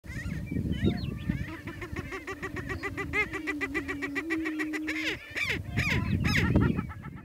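Prairie chicken giving a low, steady, buzzy drone for about three seconds, framed by sharp, rising cackling notes, over a rumble of wind noise.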